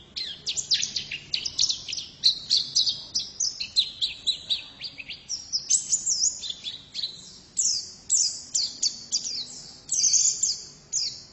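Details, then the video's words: Extended high chattering song from a female white-eye: dense bursts of sharp, thin downslurred notes in rapid succession, occasionally dipping lower, with short breaks between runs. "Pleci betina sangat bagus suaranya"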